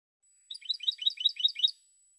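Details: Short phrase of European goldfinch song, about eight quick twittering notes alternating high and low, fairly soft.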